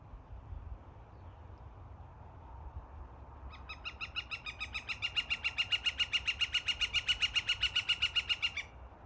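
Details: Northern flicker (Colaptes auratus) in forest at Fish Creek Provincial Park, Alberta, April 2023, gives a loud, rapid series of ringing 'wick-wick-wick' notes, about six a second for five seconds, over a low background rumble.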